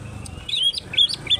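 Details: Brief burst from a greater green leafbird of Alas Purwo, Banyuwangi, Indonesia: three high looping whistled slurs, each rising then dipping, spaced about a third of a second apart.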